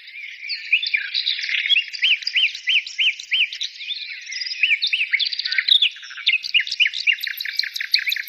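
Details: Singing birds in a dense high chorus, with one voice repeating an arched, rising-and-falling whistled note about every half second, and very high faint tinkling notes near the end.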